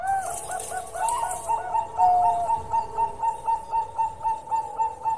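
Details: Bangkok-type zebra dove singing in full voice: a rapid series of short, clear, hollow coos around mid pitch, repeated about four times a second, with a longer drawn note early on and faint high hiss behind.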